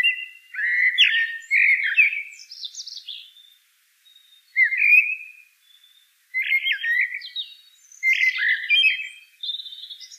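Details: Common blackbird song phrases follow each other steadily: low, rich, fluty warbles, each capped by thin, high-pitched twittering, with short pauses between. No other sounds are present.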